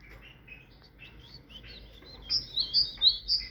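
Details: Soft, scattered chirps lead into a loud tit song phrase: four ringing high whistles alternating up and down, roughly three per second, near the end.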